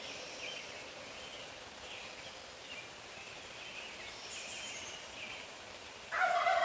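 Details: A male neighborhood turkey, recorded from a few feet away at 4:45 in the morning, which gobbles about every 30 seconds. Thin, high birdsong and steady hiss come first, then a loud, rough, rattling gobble bursts in near the end.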